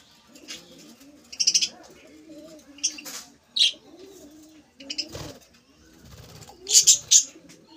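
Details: Budgerigars in a colony: sharp, high chirps come in short clustered bursts, loudest around the middle and near the end, over a steady layer of low, wavering cooing notes.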